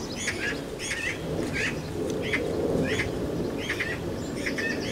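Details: Harsh, rasping chatter from magpies squabbling around a nest in a garden, a string of short scratchy bursts spaced roughly half a second apart over steady low ambient noise.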